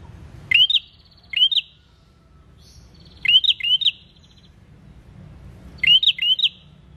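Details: Singing prinia, used as a lure to get birds calling: widely spaced groups of one to three quick rising chirps, with long quiet gaps and faint low noise.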